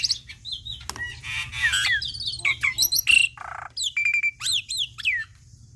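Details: Tutor song of a young black-winged myna, full of varied fill-in phrases: rasping buzzy notes, a steady mid whistle, then a string of crisp high chirps and upslurred whistles, over a faint low hum.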